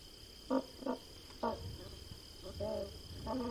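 Rufescent tiger heron giving short, low, hoarse hooting notes, about five in three seconds, over a steady high insect whine.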